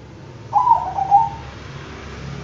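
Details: Bangkok-type zebra dove singing, a single smooth, slightly wavering coo held for about a second, low and even in pitch, over a faint low hum.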